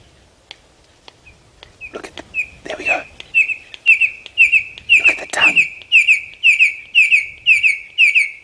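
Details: Female Red-crested Korhaan in mating-display season on a sunrise safari drive, giving a few sharp clicks (beak clapping) then a steady run of high piping whistles, about two a second, with brief rustling; crest not raised.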